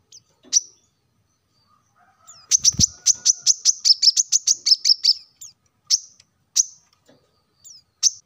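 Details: Plain-throated sunbird song, used as a lure to get caged birds singing: a fast, even trill of about fourteen sharp high chirps, bracketed by a few isolated whistled notes, with a short thud at its start.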